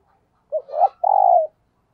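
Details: Decoy spotted dove cooing in the 'thúc gù' manner. A brief soft note leads into a rising coo, then a long, even, vibrating coo of about half a second. No other sounds.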